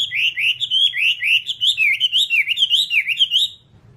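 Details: Continuous whistled Whambie song from a long tutoring recording: a fast chain of bright, rolling notes at an even pitch lasting about three and a half seconds, then silence apart from a faint low hum.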